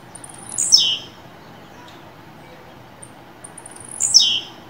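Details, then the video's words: Captive blue-black grassquit warmed up to sing in Fibra style. It makes two steeply falling buzzy phrases about three seconds apart, with soft high clicks in between. "Tiziu e Canto Esquenta seu Tiziu Agora Canto Fibra"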